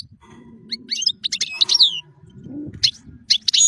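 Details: European goldfinch singing as a tutor recording: short bursts of bright, high twittering and liquid chirps with quick rising and falling notes, split by brief pauses, over a faint low hum.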